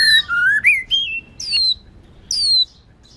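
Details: White-rumped shama whistles in a training session featuring female song to excite males: smooth rising and level whistled notes, then separated high downslurred calls.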